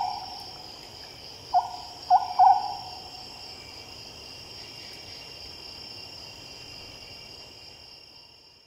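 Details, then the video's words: An Oriental Scops Owl at night gives a short, low, croaking phrase of three or four quick notes over a steady high drone of night insects. "Oriental Scops Owl"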